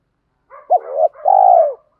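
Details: Cooing from spotted doves, both sexes, used to rouse birds during training. A soft lead-in, a clipped loud note, then a drawn-out steady coo tapering downward. Quiet background.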